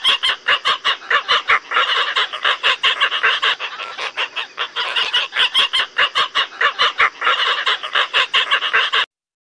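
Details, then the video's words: Asian openbills in a dense, continuous clamor of hoarse, squawking calls, pulsing about one or two times a second with many birds overlapping. "Asian openbill"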